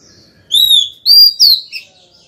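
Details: Female white-rumped shama kept as a cage bird, singing a call to the male: a long clear whistle followed by two rich, slightly falling phrases and a softer closing note.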